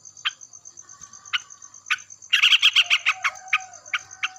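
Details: Yellow-vented bulbul singing in the morning while another bulbul answers loudly, with short bubbly chirps, then a burst of rapid gurgling notes, then spaced chirps again, over a steady high electronic tone.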